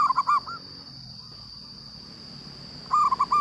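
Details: Local zebra dove singing loudly: a quick phrase of rounded coos opens, a broad hiss of background noise fills the middle, and another phrase of coos returns at the end, with a high steady whine throughout.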